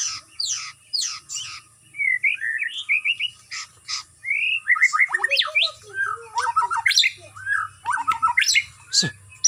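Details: Captive white-rumped shama at a bird farm, given routine outdoor exercise to build stamina, sings a varied run of loud whistled phrases, sweeping slurs and sharp downstrokes, with rich, changing notes throughout.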